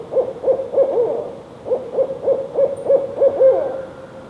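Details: Male barred owl delivering two bursts of low hoots, first four quick notes, then after a brief pause about seven more, the closing note drawn out.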